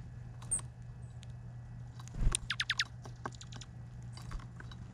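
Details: Chickadees at a bird feeder on Vancouver Island, chirping: a quick burst of short, sharply falling high notes mid-clip, with scattered faint chirps, clicks and taps before and after over a steady low hum.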